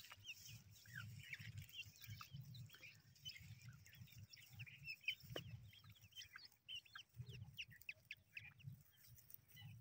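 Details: Young grey francolin chicks calling with many sharp, high chirps and rising peeps, almost continuous and overlapping, as if from several birds. Low throbbing pulses of sound repeat underneath throughout.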